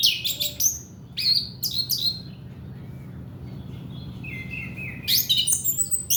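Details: Orange-headed thrush, a lure for raw young males: bursts of sharp high chirps and clicks, a quieter stretch with a soft whistle, then a sliding whistled phrase and a final rapid chattering burst.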